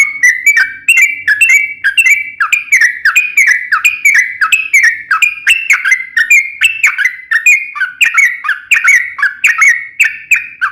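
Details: A yellow-vented bulbul (trucukan) pours out a long 'ropel panjang' song meant as bait for other bulbuls. Dense chains of clear whistles slide slightly up and down in pitch, with clicky accents and almost no pauses.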